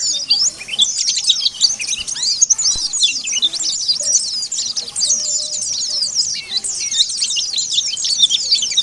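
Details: Oriental white-eye calling out rivals with a busy, high-pitched twittering chatter of rapid slurred chirps running without pause for nearly nine seconds.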